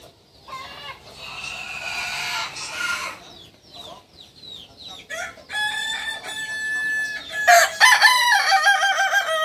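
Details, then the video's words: Kukuak Balenggek rooster, a native chicken of Solok, West Sumatra, giving two long harmonic crows broken into many stepped syllables. Small, quick downslurred chirps fill the gap between them. "Ayam kukuak balenggek ( akb )"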